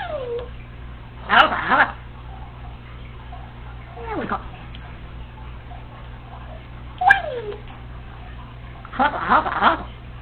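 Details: A female Congo African grey parrot, alone at home, practising phrases she hears and mimicked sounds, mutters speech-like phrases and sliding whistles in short bursts, with pauses between, over a steady low hum.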